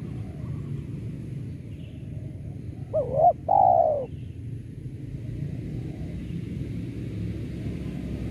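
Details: Spotted dove lure sound for trapping doves: a single brief two-part coo, wavering then long and falling, in the middle of a long stretch of low rumbling background noise.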